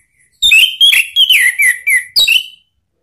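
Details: Ngeplong-style lure song of an orange-headed thrush, meant to prompt a kept bird to reply: a fluid run of six clear whistled notes, each slurring downward, delivered in quick succession within about two seconds.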